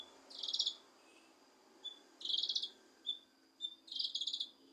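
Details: Leafbird (cucak kinoi) song meant to rouse a bird that will not sing: three dense buzzy twittering bursts about two seconds apart, with short single chirps between, over a soft hiss.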